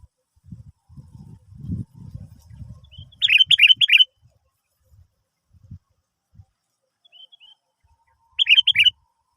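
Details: Sooty-headed bulbul song used to coax other birds into song: two short rapid phrases of four or five bubbly, liquid notes, over a low rumbling handling noise early on.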